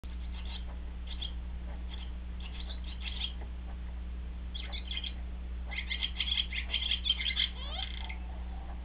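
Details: Barn swallow at its nest twittering in short, scratchy bursts, scattered at first, then a denser, busier run near the end, over a steady low electrical hum; recorded 29 June 2010 around 5:53 am.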